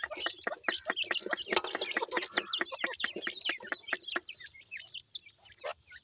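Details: Teetar chicks of the jora pheasant calling with fast clipped peeps that thin out toward the end into a few isolated higher whistled notes.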